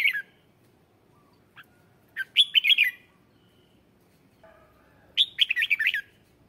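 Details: Red-whiskered bulbul used as a lure to call in wild birds, delivering short bubbly warbling phrases of quick rising and falling notes, two main bursts several seconds apart in a quiet background.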